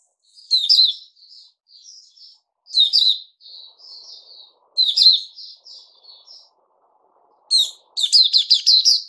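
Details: Puteh Raja bulbul on a fruit juice and mealworm diet, recorded 8 May 2021: loud bright chattering phrases, each opening with a burst of notes and trailing into softer whistles, repeated about every two and a half seconds, ending in a rapid string.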